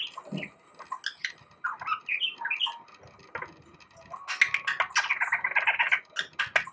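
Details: Pet budgie, six years old, singing indoors and known to copy bulbul calls. Lively chattering warble with squeaky whistled notes, then a dense, rapid burst of bright chirps in the second half.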